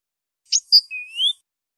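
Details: Song of a European goldfinch: one brief phrase of sharp high notes, a clear whistled tone, then a long upward-sliding whistle, in silence.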